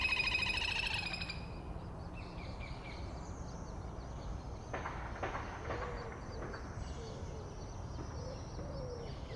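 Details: Little grebe feeding young, three chicks hidden under its wings, gives a brief, high, ringing trill, then soft thin peeping over a steady rushing background of water or wind.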